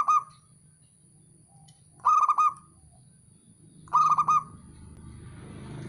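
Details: Male zebra dove calling: three bursts of mellow, stuttering coos, each a quick run of clipped notes ending in a short held tone, roughly two seconds apart, over a faint low background rumble.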